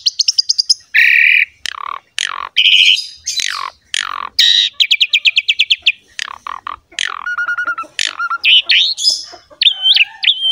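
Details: Vigorous Javan pied myna song, kept as a training sound for other mynas and songbirds: short harsh bursts, nasal buzzes, a fast rattle of repeated notes, steady piping whistles and twisting high phrases.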